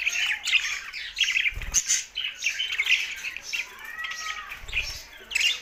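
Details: Cheerful budgerigar singing: rapid chattering warbles with squeaky notes and squawks, plus a couple of low thumps.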